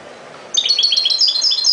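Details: European goldfinch singing a dense, rapid run of bright, tinkling high-pitched notes that begins suddenly after a short quiet pause and continues steadily to the end.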